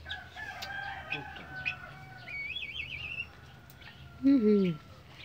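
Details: Domestic turkey in its pen near Noemuti, Kefamenanu, North Central Timor, Indonesia, gives a loud, throaty, falling call near the end after softer fowl calls; a brief trilling bird and a spoken voice are also heard.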